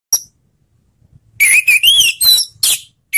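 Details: Orange-headed thrush song used as a lure to prompt silent thrushes to sing: a brief high note, then a rapid run of loud, rich whistled phrases with warbling, sliding notes, in a quiet setting.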